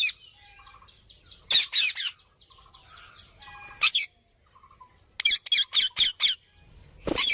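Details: Green parrot alternating loud rasping squawks with soft, faint high chirps. The loud calls come in a pair, then singly, then as a rapid run of five or six near the end.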